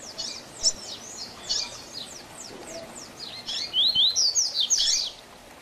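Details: Training song in the 'tui tui zel zel' style for young double-collared seedeaters: a string of thin, high, downslurred notes at a measured pace, followed by a louder, quick run of sweeping whistles near the end.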